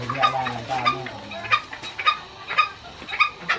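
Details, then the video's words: Green junglefowl kept by an old man, called fierce and vocal: evenly spaced short, sharp notes about every half second, with a man's voice at the start. "Galak dan gacornya ayam hutan hijau"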